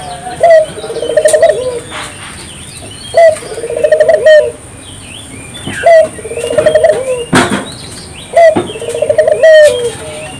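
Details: Spotted dove song, intended to trigger local doves to sing: four phrases of a sharp lead note and trilled, falling coo roughly every 2.7 seconds, with clicks and faint chirping in the background.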